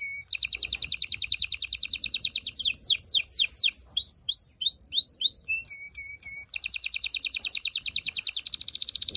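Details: Loud canary song meant to prepare males and females for mating, opening with a rapid high rolling trill, then sweeping descending and rising whistles, short clipped notes and a return to the fast rolling trill.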